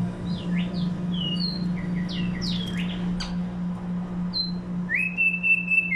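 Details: Tumba yegua delivers rapid short whistles and downslurred chirps, then ends with a long, level, high whistle that rises at its start, all over a low steady hum.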